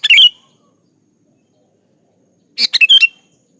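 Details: Sooty-headed bulbul song: the tail of one chirpy fluty phrase, a pause of two seconds, then a quick run of four sharp, warbling notes, with a faint steady hiss behind.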